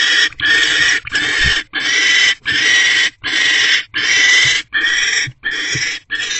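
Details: Barn owls mating in a nest box on a January 2024 night after a food delivery. Rapid, grating screeches run almost nonstop in half-second to one-second bursts with tiny gaps, loud and rough throughout.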